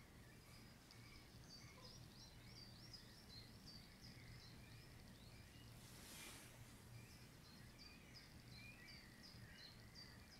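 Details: Young Eurasian spoonbills (Platalea leucorodia) at Beuven, 21 June 2016, give thin, squeaky, high-pitched calls repeated throughout, over a steady low rumble of wind and background noise.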